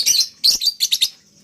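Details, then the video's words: Collared kingfisher, a captive breeding candidate kept by a bird hobbyist in Malang, giving a loud, harsh, rapid chattering call: several high, buzzy bursts in quick succession over about a second, then quiet. "CALON INDUKAN LABET"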